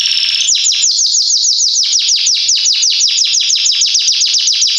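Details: Belgian canary (Salsa) singing strongly: a long series of quick, evenly repeated notes that each slide steeply downward, roughly five per second. It is presented as a good tutor for young birds learning song.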